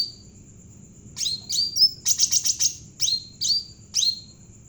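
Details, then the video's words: Cucak ranting jawa bulbul singing eagerly, used to train other birds: crisp downslurred whistles, a quick burst of five clipped chirps, then three evenly spaced falling whistles about half a second apart. "burung cucak ranting jawa gacor cocok buat pancingan burung bahan"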